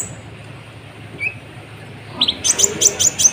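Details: Lively sunbird song meant to rouse and provoke other birds: after a quiet start, a quick run of bright, high, twittering notes repeated about twice a second over faint background noise.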